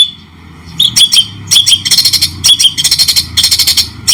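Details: White-rumped shama singing in a cendet-style training recording for teaching other birds: harsh, buzzy chattering bursts mixed with short piercing whistled notes, quiet at first, then dense rattling phrases separated by brief pauses.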